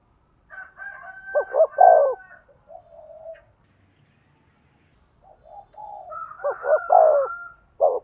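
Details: Spotted dove coos used to stimulate a male: two bursts of stuttered low notes swelling into a long coo, overlaid by a thin steady higher whistle, with a quiet gap between the bursts.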